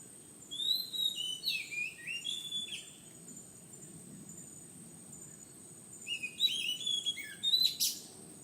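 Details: Oriental magpie-robin giving two bursts of varied, sweet whistled phrases, with rising and falling notes and quick chirps repeated in rapid succession, separated by a quiet pause, over a steady high-pitched background whine.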